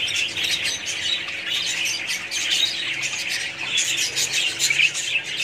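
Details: Colony of budgerigars chattering together, a steady mass of overlapping high chirps and scratchy squawks, with a brief louder burst near the end.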